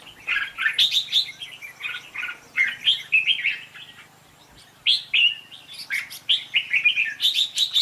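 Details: Contest singing of a red-whiskered bulbul, used as decoy sound for trapping: clear loud warbled phrases of bright whistles, a silent break near the middle, then more rapid bursts.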